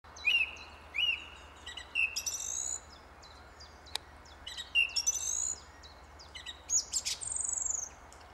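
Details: Song thrush singing in a tree: loud clear whistled notes repeated about once a second, then brighter ringing phrases near the end, each motif given two or three times, over a faint steady background hum.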